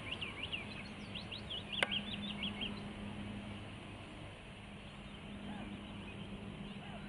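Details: Willow warbler song: a short burst of quick, high, slurred whistles lasting about two and a half seconds, with a sharp click in the middle, then only faint distant notes over a low hum.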